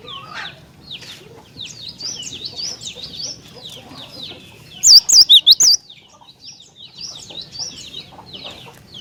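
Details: Cinereous tit singing a lively song meant to draw other tits into answering; a short burst of about five loud, sharp, high notes in quick succession rises from a dense background of softer twittering birds.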